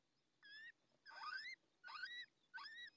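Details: Just-hatched Little Owl chick, still wet, in the nest at La Moraña, Ávila, Spain, at dawn in May; four upslurred, reedy squeals, each roughly half a second long, spaced under a second apart over quiet background.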